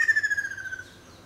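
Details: Ruddy kingfisher giving a single rolling, trilled whistle that slides gently downward and fades out after under a second, over quiet background.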